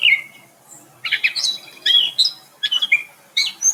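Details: Gray catbird singing a jumbled song of melodious, nasal and squeaky notes, a species that sings all day and includes imitations of Carolina wrens and towhees; here short varied phrases of squeaks and slurred whistles come in bursts separated by brief pauses.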